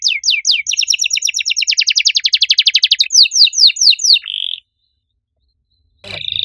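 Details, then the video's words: Canary in loud, lively song with a unique cengkok style: rapid repeated trills, brief down-slurred notes quickening into a fast even rattle for three seconds, then slower swooping notes and a short buzz, a pause, and song resuming. "Kenari gacor suara nyaring cengkok unik"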